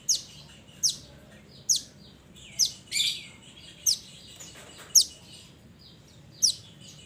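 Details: Mountain mantenan calling its companions, recorded for use as a training or lure call: sharp high chirps that sweep downward, given about once per second, with softer twittering between them over a faint low hum.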